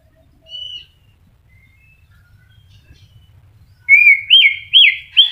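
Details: White-rumped shama, caged and starting to moult, mostly quiet at first with a faint whistle, then loud looping whistled notes repeated about every half second.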